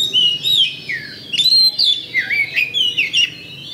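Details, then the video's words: Oriental magpie-robin, a contest champion kacer, singing 'pancingan' bait song to spur fighting: loud, rapid string of bright rising and falling whistles and scratchy notes, almost continuous. "LANSUNG TARUNG ! PANCINGAN KACER JUARA"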